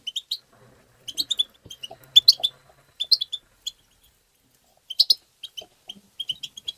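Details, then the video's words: Excited tabtaba chatter of a European goldfinch, used to stimulate goldfinches: quick bursts of high liquid twitters and metallic chirps in repeated flurries, with short quiet breaks between phrases. "ندهات تبتة حسون مقنين بتبتات وتغريد الحسون بتبتة مجنونة لطيور"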